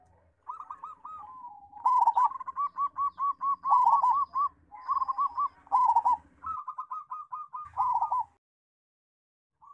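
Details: Local zebra dove with a loud, big voice, used to tutor young doves: a rhythmic cooing phrase of stuttering rolled notes, then a long run of evenly spaced hooked coos, with short pauses between phrases.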